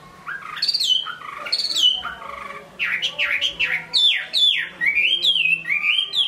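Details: Chinese hwamei in Hai Phong, Vietnam, with strong sweeping whistles, each dropping steeply in pitch, linked into loud flowing phrases with brief gaps.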